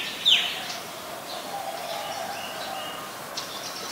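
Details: Adult Common Tailorbird, a common resident, recorded in Ubon Ratchathani, Thailand, on 3 February 2023: a single sharp, high chirp near the start, then faint distant chirps over a steady background hum.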